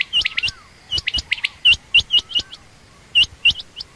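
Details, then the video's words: Female quail calling: rapid, sharp, high chirps in clustered bursts, some notes hooked or upswept, irregularly spaced with brief pauses, plus a faint lower sliding whistle early on. "common quail/Rain quail sound)chinga batair ki Awaz)Звук самки перепела)صدای بلدرچین)صوت السمان"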